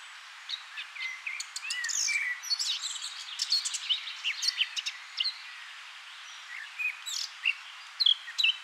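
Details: Male Eurasian blackcap singing while perched in a bush by the River Honddu near Abergavenny, South Wales; scattered short warbling phrases of high chirps and whistles separated by brief pauses, with faint background noise.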